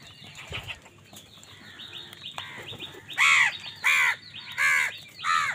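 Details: 1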